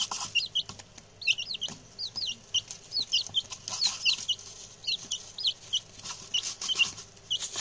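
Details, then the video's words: Very chatty newly arrived male chicks, six of them, keep up rapid high peeps that drop in pitch, repeated several times a second, with light scratching noises. "the new chicks!"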